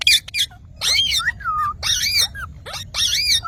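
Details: Green parrot uttering loud, drawn-out raspy squawks with a wavering tone, each followed by a short falling whistle, repeated about once a second.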